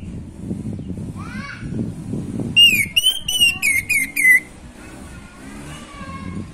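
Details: Orange-headed thrush, song used to encourage breeding drive: after faint low chatter, a strong run of about six clear whistles wavering up and down, lasting under two seconds, then quiet.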